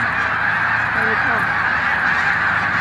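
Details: Snow geese gathering in huge numbers on the mucklands near Montezuma, New York, in March 2022, landing and settling: a dense, steady roar of massed calling with a few lower honks rising out of it, and a man talking nearby.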